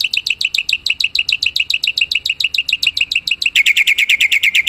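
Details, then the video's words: Wild black-winged myna used for luring birds: a long, quick series of sharp chirps that shifts near the end into louder, harsher, more metallic repeated notes. "Suara burung jalak putih"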